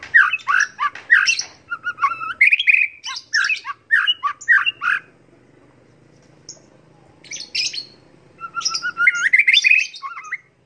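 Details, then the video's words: Varied white-rumped shama song of quick whistles, chirps and slurred phrases in irregular bursts, with a pause midway before a rising whistled run. "MASTERAN MURAI BATU"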